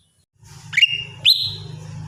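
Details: Lesser green leafbird (cucak ijo mini) singing in the morning routine: two loud whistles, each sweeping sharply upward and then holding a clear level tone, over a steady low hum.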